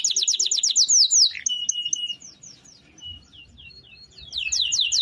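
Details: Canary in long rolling song used as a tutor for other birds: quick descending whistles, a steady held whistle, a quieter pause with soft notes, then loud swept notes again.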